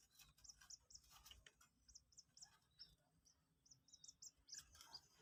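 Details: Two-day-old captive Common Moorhen chick learning to eat feed, calling with irregular high, thin peeps, sometimes doubled or in short strings, over light tapping and soft background hiss.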